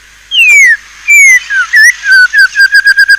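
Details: White-rumped shama song: a long falling whistle, a second slurred whistle, then a fast series of short whistled notes repeating about every tenth of a second and closing the phrase.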